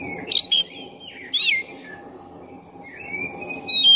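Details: Oriental magpie-robin of the black-breasted form singing energetically to provoke a rival: short bursts of scratchy, twittering notes and a sharp downward whistle, a quieter gap, then drawn-out rising whistles at the end, over steady low hiss.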